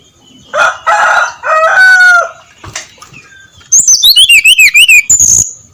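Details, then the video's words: Brown-chested jungle flycatcher singing at dawn in a loud, clear ngeplong style: after a rooster's crowing and clucking, a rapid run of high, sharp whistled notes zigzags downward, then a final thin high whistle. "SUARA SRDC NGEPLONG PAGI BUTA"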